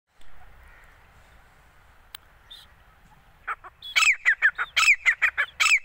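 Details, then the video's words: A hand-trained grey francolin, tagged as a calling female, bursts into a loud, harsh series of shrill, rapidly repeated notes after a few quiet seconds of faint background hum. "teeter awaz | piyari awaz | desi teeter ki boli | gora teeter"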